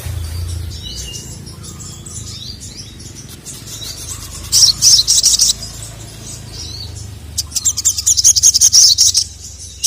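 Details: Sogon kept bird, female calling a male who answers in an agitated way; quiet opening, then two bursts of rapid, high, stuttering chirps near the end, repeated several times a second.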